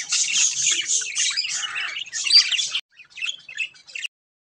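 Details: White and grey Java sparrows in an aviary chatter in a dense, high squeaky jumble of chirps for nearly three seconds. A short break follows, then scattered sharper chips.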